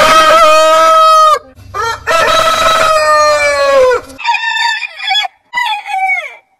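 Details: Rooster crowing: two long harmonic crows of about one and a half and two seconds, the second held steady before dropping, followed by shorter, higher crow fragments that slide downward.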